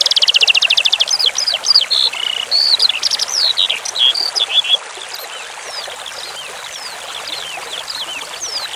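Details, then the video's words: Skylark (branjangan) masteran song over running water. It opens with a rapid buzzy trill, then comes a burst of varied high slurred notes that fades after about five seconds, leaving faint distant notes against the water's murmur. "Masteran Suara Branjangan Sky Lark"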